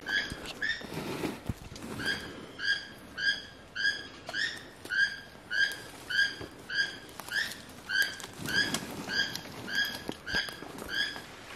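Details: A toucan in jungle near Chetumal, Quintana Roo, Mexico, gives a steady series of hoarse, croaking notes, almost two per second, with faint rustling and forest background, while spider monkeys feed in the canopy above.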